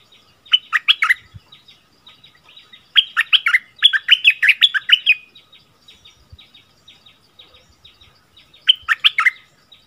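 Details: Bulbul recorded around 24 February 2021 singing its newest 'double' song style: three bursts of rapid, sweet warbled phrases, each a quick run of bright rising-and-falling notes, separated by pauses of a few seconds, on a quiet background.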